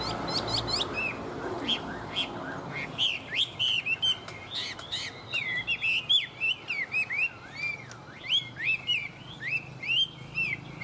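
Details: Singing tame Chinese hwamei pours out a long varied stream of whistled slurs and twisting notes, soft at first, then loud and rapid, with phrases changing pitch and direction constantly.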